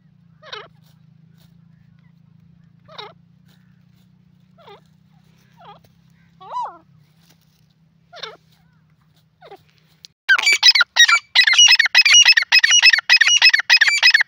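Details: Grey francolin in the jungle: soft, wavering, descending notes spaced a second or two apart over a low hum, then a sudden loud run of harsh, rapidly repeated shrill calls.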